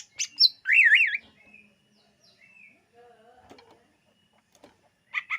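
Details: Greater green leafbird song for luring birds: a couple of sharp chips lead into a loud wavering trill, then soft low whistles and a final pair of sharp chirps.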